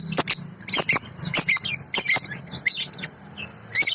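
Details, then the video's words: Sooty-headed bulbul, from a clear, original recording made for tutoring songbirds: rapid, scratchy high chatter in dense bursts, about 100 notes a minute, with short pauses between phrases. "masteran balibu//suara asli jernih"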